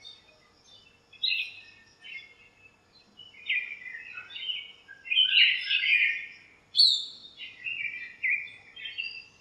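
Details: In a backyard lemon tree on a sunny morning, several birds exchange varied chirps. Scattered short twitters build into dense, loud trilling bursts, then a sharp high note and fading chatter.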